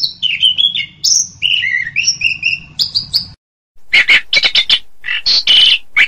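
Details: Orange-headed thrush singing a string of clear whistled notes at steady pitches, then, after a brief silent break, a series of short harsh chattering bursts.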